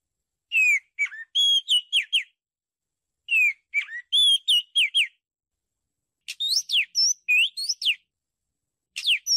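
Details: Oriental magpie-robin song used to lure birds: bursts of bright whistled notes, swooping down and rising, grouped in phrases of five to eight notes separated by short pauses, in a quiet setting.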